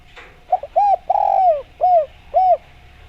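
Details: Spotted dove song played as a lure to make other doves answer: a series of short arched mid-pitched coos, one longer drawn-out coo in the middle, then two more evenly spaced coos over a soft low hum.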